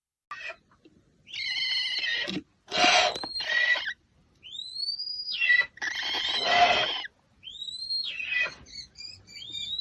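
An American Barn Owl gives a run of harsh, hissing screeches, each lasting about a second, broken by thin, rising whistled notes and a few high chirps.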